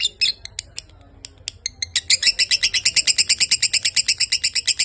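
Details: Lovebird singing at length: a few spaced sharp notes at first, then from the second second an even, fast chain of loud shrill chirps.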